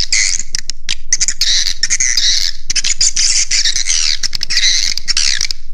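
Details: Swiftlet roost-attraction call: rapid, crowded chirping and high squeaks, many notes per second, forming a continuous twittering chorus with a few short pauses.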